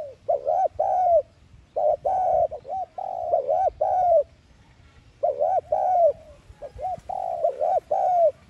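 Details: Spotted dove decoy call used to excite captive doves. A dense run of low throaty coos in groups of two to four notes, with brief gaps between the groups.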